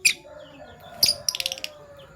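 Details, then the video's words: Pet Fischer's lovebirds, a PB Violet and a Euwing Gold Opaline, chirping in the morning with sharp, high notes: one at the start, another near one second, then a quick run of five or six shrill notes. "Lovebird Chirping Sounds"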